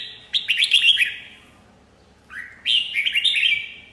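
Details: Red-whiskered bulbul song in two phrases, each a fast cluster of bright, chirpy warbled notes falling in pitch, the second preceded by a short rising slur after a pause of over a second.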